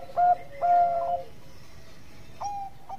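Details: Zebra dove, Bangkok type, singing for use as a training recording: two ringing cooing notes, the second drawn out, a pause, then a softer short coo.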